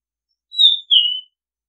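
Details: Oriental magpie-robin singing on a decoy-sound recording: one short phrase of two clean, sweet whistles, the first high and level, the second dropping slightly and fading, with no other sounds.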